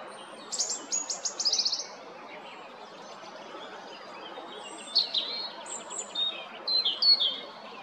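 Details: European robin at Jarun, Zagreb, Croatia, 13 April 2022, opens with a series of evenly repeated high stuttering notes, falls quiet for about two seconds, then delivers varied high twitters and descending whistles.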